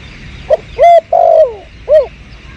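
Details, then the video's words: Spotted dove behind house plants, 2022 lure recording: a short low note, a loud clipped coo, a long downward-sliding coo, then one arched coo, all distorted by volume. "Pikat burung terkukur"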